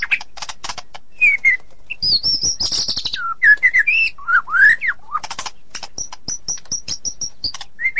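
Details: White-rumped shama in ngeplong and ngeroll styles: dry rattles, buzzy trills, and swooping whistles, then a rapid series of identical high, thin notes repeated evenly before a final whistle.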